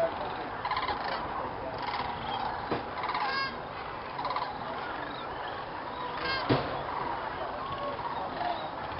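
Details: Dusk gathering of many thousands of Sandhill cranes at an Indiana fish and game preserve, Jasper-Pulaski, before the night roost; layered rolling calls fill the air, with occasional nearer, sharper cries standing out.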